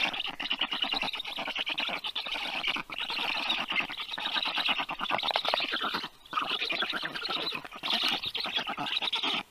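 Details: Feeding of rescued 30-day-old black stork chicks at the University of Life Sciences vet clinic, Tartu, Estonia; nearly unbroken, grating, rapidly pulsed wheezing from the young birds.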